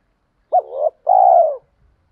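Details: Spotted dove lure call meant to provoke wild doves into cooing back: a short sharp accented note, a wavering coo, then a longer steady low hoot that fades, with a clean, quiet background.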